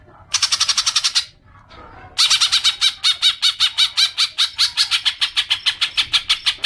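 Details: Cucak ijo, or green leafbird, in long ngekek chatter played as a lure: a short rattling burst, a pause, then a long run of loud, harsh, evenly repeated pulses lasting over four seconds.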